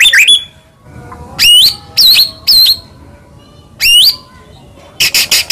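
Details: White-rumped shama from Medan giving separate loud rising whistles with harsh overtones, spaced about half a second to two seconds apart, ending in a brief burst of high scratchy notes.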